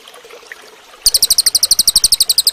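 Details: Cililin singing as training audio for other cage birds: after a second of quiet background hiss, a rapid run of piercing high chips begins, evenly spaced and sharp, continuing to the end.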